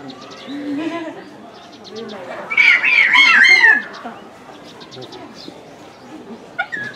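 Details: Caged salmon-crested cockatoo at a small park zoo in Japan, December 2017, calling repeatedly: one long, harsh, wavering screech rising out of the background chatter of visitors' voices, with a short sharp squawk near the end.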